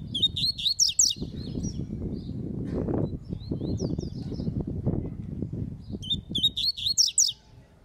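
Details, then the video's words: Double-collared seedeater (coleiro) singing in a song dispute. Rapid bursts of sharp, high chattering notes open the recording and return near the end, with a softer twittering phrase in the middle, all over steady low rumbling background noise. "COLEIRO FALCONE DISPUTANDO"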